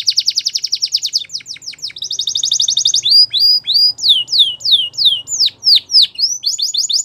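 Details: Belgian canary singing for training: fast buzzy rolled trills, repeated downward sweeps, then a loud series of long slurred whistles spaced about half a second apart.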